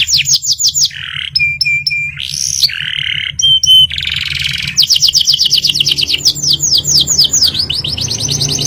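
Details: Lively canary in full ngerol nembak song: fast sweeping note series, short pure whistled tones and a buzzy burst, then a long run of quick repeated high trills, with a constant low hum in the background.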